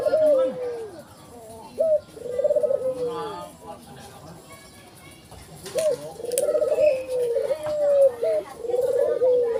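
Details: Low tremulous coos of a white ivory collared dove with a black collar, several phrases of short note then descending drawn coo, with talking voices throughout.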